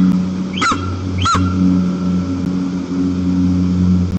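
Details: White-tailed eagle at its nest in Almetyevsk region, Tatarstan, Russia, on the windy afternoon of 1 September 2022, during a rare daytime visit by the whole family: two short, sharp yelping notes about half a second apart, over a steady low hum.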